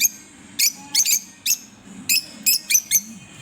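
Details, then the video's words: Pet green Fischer's lovebird pair chirping: about eight sharp, high, scratchy chirps come at uneven intervals, some in quick pairs, over a faint low hum. "Lovebirds as pet , Chirping sounds|Green Fischer pair"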